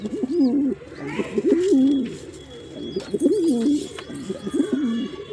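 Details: Repeated low, throaty coos of a male pigeon, each phrase quavering up and down, coming in quick succession with brief gaps and faint background chirping.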